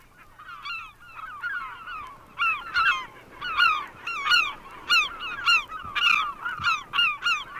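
Herring Gulls give loud, nasal, ringing calls that rise then drop, repeated almost twice a second by several birds at once, overlapping into a raucous chorus.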